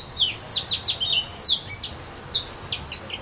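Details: At Saint-Philippe on Réunion, among casuarinas, a yellow-fronted canary opens with a fast cluster of high slurred chirps, then slows to a few separate sharp notes.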